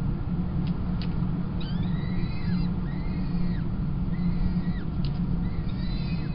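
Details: Nest feed of peregrine falcon chicks at Kingston College, 28 April 2021, with the female feeding after the tiercel; arched, wheezy whistles in overlapping bursts plus a few clicks, against a constant low droning background.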